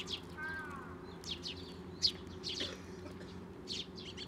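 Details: Sparrows at a Tenmangu shrine on 18 May 2024, coming to a hand for food and feeding nestlings; scattered sharp chirps, with a low background hum and faint whistled notes.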